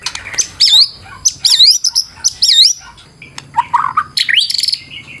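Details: White-rumped shama giving a loud, fighter-style song full of variation, with rich looping whistles, sharp chips and quick varied phrases in rapid succession. A low background hum is also present.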